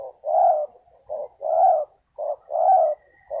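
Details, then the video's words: Lure call of a spotted dove used to draw in wild birds. Short coos alternate with longer, rough, rolling croons in a steady back-and-forth rhythm, and the background is quiet. "Chim cu gáy chiêu kích mồi tập bổi nhanh nổi hiệu quả"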